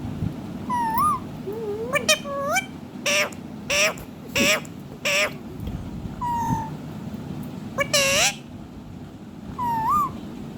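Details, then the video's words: A singing, dancing pet ringneck parakeet produces a long run of harsh clipped squawks mixed with wavering whistled notes and rising chirps, bursts coming every second or so over a low steady hum. "amazing singing and dancing parrot"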